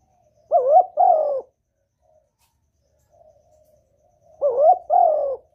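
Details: Spotted dove calling to attract a male, used as a lure: two low, hoarse cooing phrases, each a short coo swinging straight into a longer, wavering croo, about four seconds apart, with near silence between.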